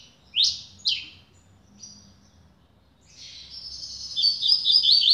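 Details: Caged double-collared seedeater, a new bird, delivering two loud downslurred whistles, a pause, then a fast rising buzzy twittering phrase.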